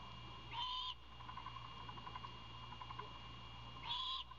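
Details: Young owl requesting food as its father brings prey: two harsh, breathy screeches roughly three seconds apart, soft rustling between, low steady hum.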